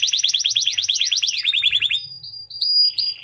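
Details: A white canary sings a fast series of rapid repeated trills, high and bright, shifting after two seconds into thinner, higher whistled notes and brief buzzy phrases.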